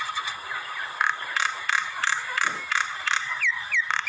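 A common myna gives harsh, rasping notes about three per second, mixed with short whistled downslurs and a steady tonal chatter.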